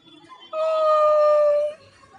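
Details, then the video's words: Pet parrot with its owner producing one sustained, level, pure-sounding tone lasting just over a second. "Parrot Laxmi talking. And kissing to Mummy."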